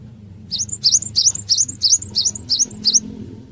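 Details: Cinereous tit singing actively, recorded as a lure to prompt other birds to respond: eight quick, high, sharply rising whistled notes, each followed by a brief higher note, over a faint low hum.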